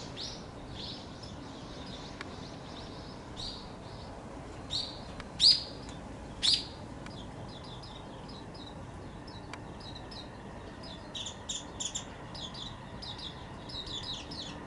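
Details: A warbling (Japanese) white-eye in late February, apparently excited after losing a fight with a paired male, gives thin, high, scratchy chirps in quick irregular bursts with sharper notes, over soft hiss.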